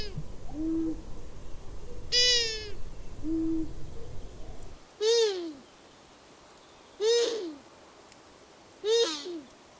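Long-eared owl: two soft, low single hoots, then four loud, whiny squeaks with a drooping, strained tone, about two seconds apart. Faint background hiss at first.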